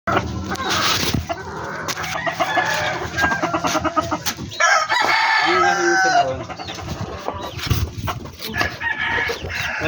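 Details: Backyard poultry chickens: several overlapping crows and clucks, harsh and harmonic, with a loud drawn-out crow near the middle. There is steady low background hum and clatter throughout.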